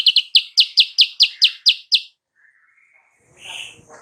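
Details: Sooty-headed bulbul lure song used to provoke a rival: a fast string of about ten crisp chirps over two seconds, followed by quiet and then a faint rustling noise.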